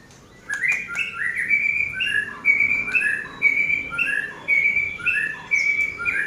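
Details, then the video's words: Caged white-rumped shama singing after dry sauna grooming: clear whistled phrases, some rising and some falling, delivered roughly once a second in a steady run, with faint room noise beneath. "Burung Murai Batu seri F setelah di sauna kering"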